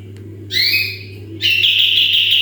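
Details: Sooty-headed bulbul in full voice, recorded as a training model for other birds: two rising whistled sweeps, then a loud, steady high trill from halfway through, over a low steady hum.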